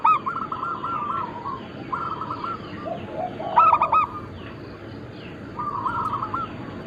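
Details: Several local Zebra doves of Bangkok-crossing type singing together on a recording used to lure and train birds: bursts of quick, stuttering coos, one loud harmonic phrase mid-way, a lower dove answering beneath, and steady hiss.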